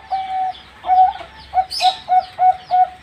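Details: Young zebra dove, four months old, singing: clear, even coos with a short pause, then a run of quick, clipped notes at a steady pitch. Brief higher chirps overlap near the middle.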